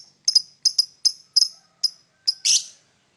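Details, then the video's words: A lovebird chirps in the morning with a handful of sharp, high double notes spaced about half a second apart, ending in one louder, raspy squawk. "Lovebird singing and chirping sound in the morning"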